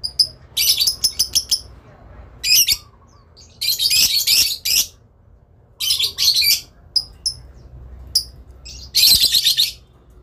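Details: Lovebird, a parent bird, giving long chattering calls in answer to another bird calling back: harsh, buzzy bursts of rapid chatter lasting about one second each, separated by pauses, with a few short chirps between.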